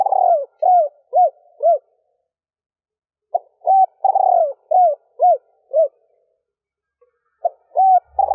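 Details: Female spotted dove, stuttering coo with three trailing notes, given to excite males. Two full phrases, each a long sliding coo then three quick hoots, with a gap of over a second, and a third phrase starting.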